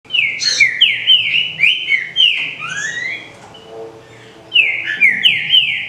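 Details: Green-winged saltator (trinca-ferro) song meant to warm up kept birds: loud, clear whistled phrases of slurred and rising notes, delivered in quick bursts, then a brief pause and renewed.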